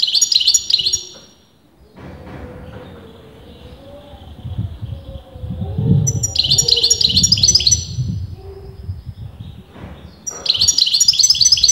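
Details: European goldfinch of disputed sex in continuous song: brief glittering bursts of high rapid twitters at the start, midway and near the end, separated by gaps of low rumbling background noise.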